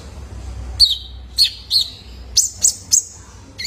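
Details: Juvenile male Van Hasselt's sunbird, recorded as a lure to get caged birds singing: spaced sharp high chirps, each dropping into a brief thin tone, six notes in about three seconds.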